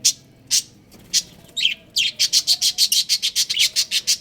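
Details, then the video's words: Budgerigar breeding pair kept as pets: a few spaced high chirps, a short warbled note, then a rapid even series of bright chirps, roughly two per second rising to several per second. "Adorable Budgies Chirping Sounds"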